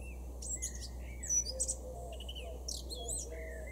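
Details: A male Eurasian blackcap sings in a garden in Weener, East Frisia, far northwest Germany, in June 2022: a quick, varied warble of fluty whistles and scratchy high notes over a steady low hum.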